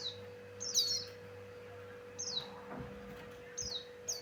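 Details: Singing male Javan grey-throated white-eye, the song used to lure birds: a few high, thin falling whistles spaced about a second apart, one brighter twittering burst early, over a faint continuous hum.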